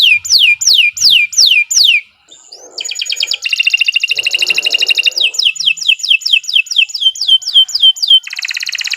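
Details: Long-singing canary used as a lure and master recording for training birds: clear downward-sweeping whistles about twice per second, a short pause, a dense buzzing trill, more sweeps, then another rapid rattle.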